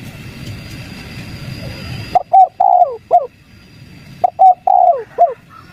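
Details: Spotted dove luring call meant to make wild doves reply: two phrases of soft, low cooing notes, with a longer drawn-out middle note in each, after a steady background hum.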